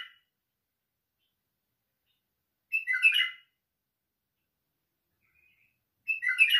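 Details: White-eared bulbul giving short, punchy warbled phrases about three seconds apart, each a compact burst of whistled notes, with quiet between.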